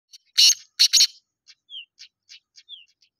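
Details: Black francolin calling: a loud harsh grating phrase of three rasping bursts near the start, followed by faint scattered chips and two thin descending whistled notes.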